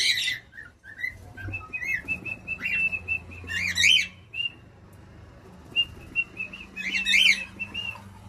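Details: A pet cockatiel said to be learning to sing makes steady, level whistled notes broken by quick sharp chirps, with a low hum in the background.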